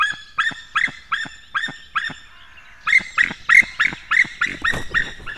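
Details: Male white-tailed eagle at its nest, 19 May 2016, early morning, calling as he brings in fish: a run of yelping barks, a brief pause, then a faster, louder burst of sharp, overtone-rich yelps.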